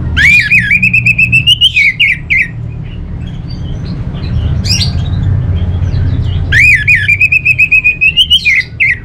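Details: Orange-headed thrush, kept as a cage bird, delivering a long rapid rattling trill that rises slightly, with fine buzzy pulses. After a gap filled with soft scratchy notes, the same trill repeats, over a low background hum.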